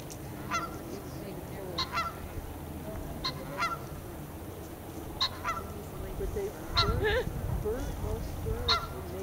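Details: Sandhill cranes feeding in a field near the Rio Grande Nature Center State Park, Albuquerque, New Mexico, USA, give short rolling trumpeted calls every second or two over low background rumble and quiet human voices.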